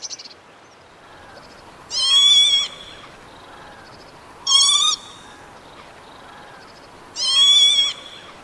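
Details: Three harsh, buzzy Northern lapwing notes, each about three-quarters of a second long and spaced roughly two and a half seconds apart, bending slightly downward over a quiet hissing background.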